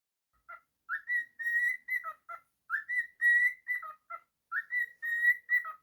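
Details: A pet cockatiel sings a repeated whistled phrase: a rising note, long steady whistles near one pitch, then short lower dropping notes. The phrase comes three times with short pauses, indoors and quiet.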